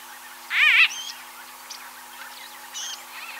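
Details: A White-fronted Bee-eater (Merops bullockoides) in Kruger National Park, South Africa, gives one loud, nasal, rolling call, followed by several softer, shorter squeaky notes over the next few seconds.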